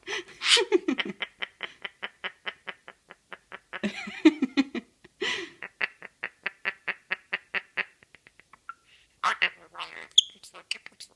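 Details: A pet male princess parrot gives a long run of rapid, even clicking notes, about five a second, broken by harsh squawks, while its owner talks to it in the morning.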